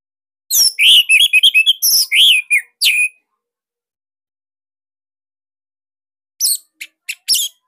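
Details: Orange-headed thrush of the Bali type, a kept bird, singing a loud, tight 'tembakan sirtu' master phrase: a rapid run of about ten whistled and chirped notes over 2.5 seconds, a long silence, then a few short sharp notes.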